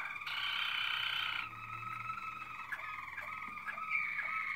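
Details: Malinois Waterslager canary in 2016 opening with a loud, broad trill, then a steady low tonal roll with scattered short dipping notes.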